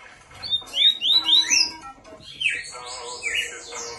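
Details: Double-collared seedeater singing strongly, giving short bright upslurred and downslurred whistles in two bursts, with faint steady tones and music in the background.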